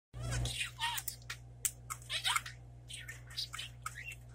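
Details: A male pet budgerigar chatters in quick, scratchy, high bursts of mimicked speech, trying to say "Happy Thanksgiving", mixed with clicks and warbles, over a steady low electrical hum.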